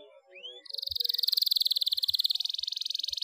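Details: Canary in breeding condition, used to stir quiet canaries to song: one rising whistled note, then a long, fast, steady, high trill that runs to the end, with a few soft thumps.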